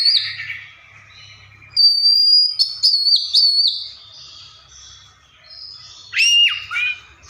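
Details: Oriental magpie-robin imitating other birds, giving sharp high whistles, a few steep downward-swooping notes and fluty held tones in separate bursts, with quiet gaps between phrases.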